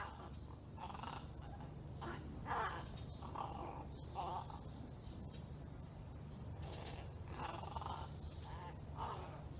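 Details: A juvenile crow practising its calls gives odd, hoarse, speech-like caws and gurgles in short bursts every second or so, over a steady low hum of traffic or machinery.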